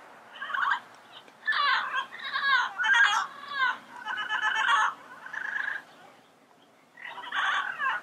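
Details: Yellow-headed parrots in the wild calling with harsh, grating, rolling squawks in bursts of one to two seconds, separated by short pauses, with a steady low background hum.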